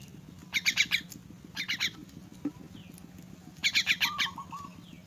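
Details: Orphaned and crippled myna during feeding, uttering clusters of three to four harsh squawking notes separated by pauses, with a faint wavering whistle after the last burst and a low background hum.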